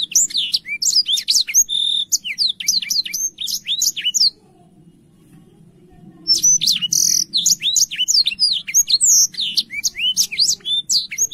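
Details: Active, clear-voiced Black-throated canary song meant as tutoring material for canaries: two long bursts of fast, varied high chirps and twitters, separated by a silence of about two seconds.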